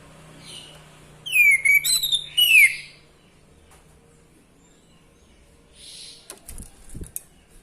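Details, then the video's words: Orange-headed thrush, played to provoke males into singing. Three loud, clear whistled phrases slur downward within about a second and a half. Quiet clicks and rustles follow. "Gunakan video ini untuk memancing birahi AM jantan, AM macet/malas bunyi langsung gacor"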